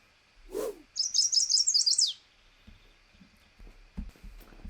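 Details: A Chestnut-sided Warbler, a breeder of southern Canada and the northern U.S., sings its "please, please, pleased to meet ya" song: a quick, high run of about eight sweet notes ending in an emphatic down-slurred flourish, then a voice speaks briefly.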